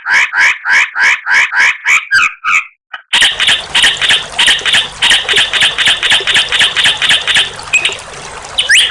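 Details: White-rumped shama (murai batu) masteran: quick repeated chattering notes, then a steady fast series of rattling notes over a constant hiss and a high whine.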